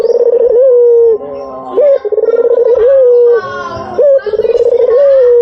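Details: Luring coos of a white Barbary dove: repeated deep, sustained notes with trilled beginnings and small upturned endings, a brief voice-like sound overlapping near the end.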